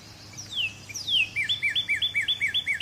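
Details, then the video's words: Northern cardinal delivering two clear downward-slurred whistles, then a fast run of short upswept notes, roughly five per second, evenly spaced and ringing, with a faint low background hum. "Northern Cardinal Calling or Voice"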